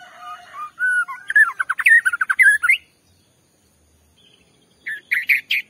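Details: White-rumped shama singing as a provoking lure to set off another shama: a low steady whistle opens into a rapid jumble of warbles and trills, then silence, then a short burst of rising whistled notes.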